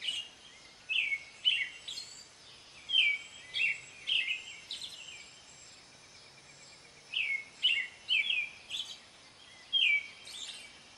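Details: American robin singing a long series of caroling whistled phrases in bursts, each slurred downward, with a pause in the middle before the phrases resume, over a constant light hiss.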